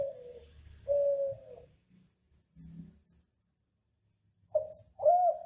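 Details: Ringneck dove of the Kelantan derkuku type, recorded as a training song for home doves in Indonesia: two soft level coos, a long quiet gap with faint low thumps, then a short rising-and-falling coo at the end.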